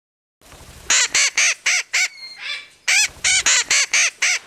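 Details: Captive-bred Hahn's (Red-shouldered) macaw giving loud, harsh squawks: five grating calls in quick succession, a brief softer rasping pause, then four or five more raucous squawks at a steady rhythm.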